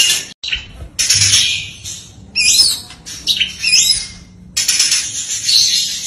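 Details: Oriental magpie-robin song, a fast rapid-fire run full of varied fill notes for training songbirds: bright whistled and chattering phrases in separate bursts, with short silent gaps between them, including a near-silent break at about four and a half seconds.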